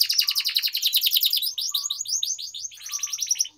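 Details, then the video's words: Song of an Atlantic canary kept for singing training: a dense, continuous high trill of quick repeated notes, slightly shifting in tone partway through, with no pauses. "Canary Singing Training || Kenari Gacor Panjang Cuit Cuit Emosi, Pancingan Kenari Paud Belajar Bunyi"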